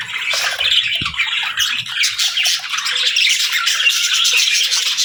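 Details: Captive parakeets with lovebirds during their morning routine: a continuous, dense stream of high, harsh squawks and twittering chirps, with several birds calling over one another.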